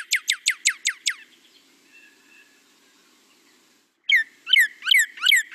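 A male northern cardinal sings a quick run of six steep, down-slurred whistles, then after a pause, four fuller slurred notes ending lower, with faint background hum.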